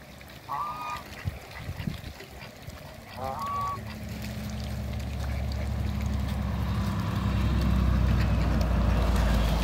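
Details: Mallard couple newly kept in a backyard with other waterbirds; two short, harsh, honking calls about three seconds apart, followed by a rising low mechanical drone like an engine.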